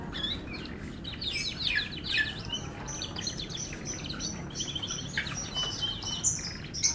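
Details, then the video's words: Canary, F1 bird, singing: fast twittering song of chirps and downward sweeps around mid-high pitch, with trills and buzzy notes over a low steady background hum. "KICAU MERDU KENARI F1"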